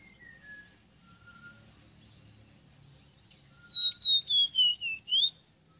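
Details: Ave rosita, the Ruddy-breasted seedeater (Sporophila minuta), sings six pure whistles that glide lower one after another before a final rising note, with faint thin whistles earlier and a quiet background.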